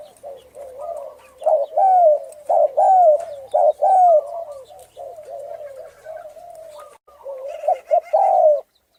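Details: Spotted dove of the Thai strain with a hoarse voice, cooing to stir up males, females and decoy birds; low husky coos run almost without pause, some short, some long and falling, with faint higher chirps behind.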